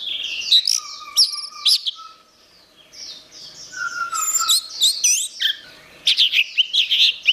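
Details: Orange-headed thrush, recorded as a master song for songbird training, mixing sharp chirps, sustained lower whistles and fast varied twittering phrases, briefly quieter midway, with slight background noise.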